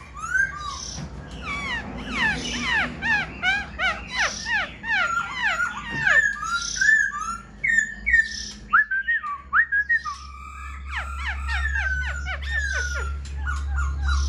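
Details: Black-throated laughingthrush in a cage, tail spread and wings dancing, pours out a long, rich, varied song of fast slurred whistles, rapid descending trills and clear held notes, with a low hum underneath.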